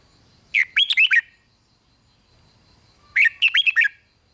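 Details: Song of a red-whiskered bulbul meant to rouse other bulbuls: two rich, chattering whistled phrases, each about three quarters of a second of rising and falling slurred notes, separated by quiet.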